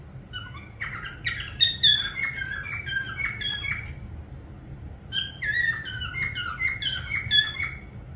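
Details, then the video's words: A parrot gives chattering whistled phrases made of quick, bending notes and squeaky chirps. It sings two bursts separated by a brief quiet gap. "parrot sound whistling"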